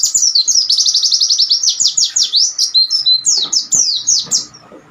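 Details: Oriental white-eye ombyokan master song for training other birds: a fast, loud stream of high, sweeping twitters, briefly breaking into lower notes before resuming with bold downward slurs and fading at the end.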